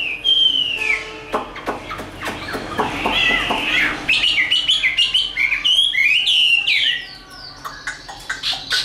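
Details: Caged, tame Chinese hwamei singing for fighting: a falling whistle, dense rapid notes, then bright repeated upslurred and arched phrases, ending softer.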